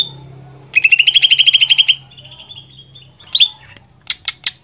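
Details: Greater green leafbird song meant to stimulate another leafbird: a rapid rising rattled trill of about fifteen notes, a thin sustained whistle, then a sharp slurred note and a few spaced chips.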